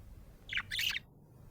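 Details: A happy budgie lets out a short, bright two-part chirp, a rough high note then a fuller warbled one, lasting about half a second before quiet returns.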